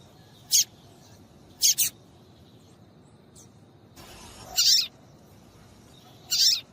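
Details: Female seedeater calls meant to excite male papa-capim into song for tournaments; crisp high ticks, one doubled, followed by two longer buzzy chirps.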